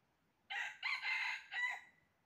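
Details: Crow of a red junglefowl heard while trapping, 20 January 2023: three strained, raspy sections, the middle one longest, ending in a short falling tail. No other sounds are clear.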